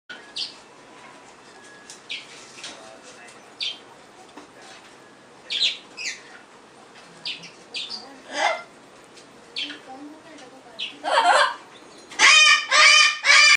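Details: Rosy-faced lovebird giving short sharp chirps scattered over quiet moments, then a loud cluster of harsh shrieking screeches near the end.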